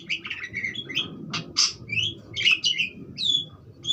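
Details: Budgerigar chattering with rapid squeaky twitters, a couple of harsh rasping bursts and several whistled, slurred squeaks.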